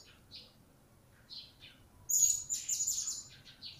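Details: Blue-crowned hanging parrot, a newly acquired bird starting to sing, produces scattered chirps and then a loud, dense run of high shrill, buzzy notes over faint background hum.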